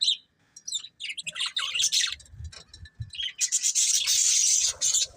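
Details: A breeding pair of budgerigars chattering, varied high chirps and trills building into a dense, buzzy, sustained warble in the second half.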